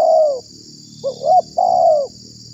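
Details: Lure call of a spotted dove meant to draw in wild doves and rile other doves; a long sloping coo, then a short rising note and another extended descending coo, with a steady background hiss.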